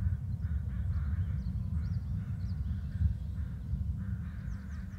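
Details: Pair of adult bald eagles calling at their nest, giving a handful of short rasping notes and high chirpy squeaks near the end, with a persistent low rumble throughout.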